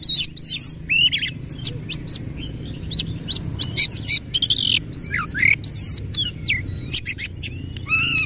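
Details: Oriental magpie-robin in full song with tail spread, a rolling 'ngerol' style: rapid varied clear whistles, upslurs and sharp high chips strung densely together, with a faint low background hum.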